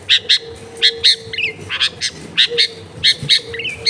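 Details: Long-tailed shrike song recorded in a crowded residential area as training sound for a silent shrike: paired harsh chirps repeated in quick bursts with short twisting notes between, against a constant low drone.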